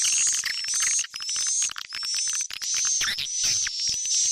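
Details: Tarik Onar swiftlet calling sound for attracting swiftlets: loud bursts of rapid chirping about one and a half times a second, each phrase capped by a thin rising whistle, with short dips between bursts.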